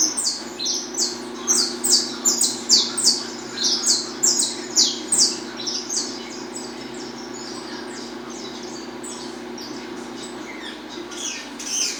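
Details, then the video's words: Peruvian saffron finch, a domestic song bird, singing: rapid series of bright, buzzy high notes repeated about three per second for the first half, then fading, over a steady low hum. "Canário TERRA peruano estalando bonito"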